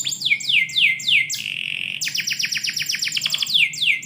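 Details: Morning song of a canary kept indoors, opening with four downward-sweeping whistles, a flat buzzy trill, then a fast series of sharp descending notes ending in two more swept whistles.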